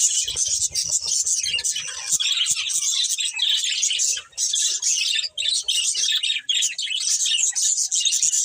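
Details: Budgerigar breeding pair giving steady, busy chirping: a rapid run of high, rasping twitters and warbled notes, with a few low taps early on.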